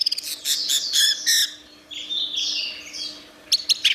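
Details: Orange-headed thrush giving harsh, buzzy high phrases in a fast burst, then a softer rambling warble and a few sharp clipped notes at the end.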